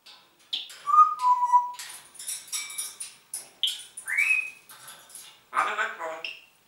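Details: Talking Congo grey parrot, a pet that greets with "Guten Morgen" in German; a busy string of clear whistles, slides and speech-like chatter with rising and falling notes, one clear upward-swooping whistle, and short harsh bursts.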